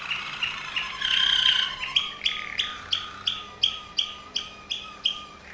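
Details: Waterslager Malinois canary from Veliko Gradište, Serbia, opening with a brief rolled trill and a sustained ringing note, then a steady series of about ten short, clear, bell-like notes spaced roughly three per second.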